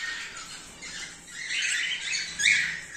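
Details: Cockatiels of cream face ino and normal grey colours kept as a breeding colony during the 2024/2025 season, giving a constant wall of shrill squawks and rasping chatter, growing louder toward the end.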